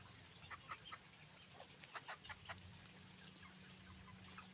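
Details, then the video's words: Roosters and hens making noise on a chicken farm, with bursts of rapid, evenly spaced clucks in two runs, over a faint steady low hum. "Moment of the sound of a chicken farm, roosters and hens making noise"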